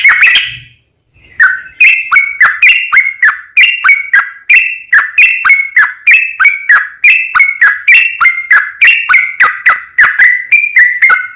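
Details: Yellow-vented bulbul in long rapid-fire 'ropel panjang' song, used to lure other bulbuls into answering: after a short opening burst and a pause, a fast stream of bubbly whistled notes, rising and falling, several per second.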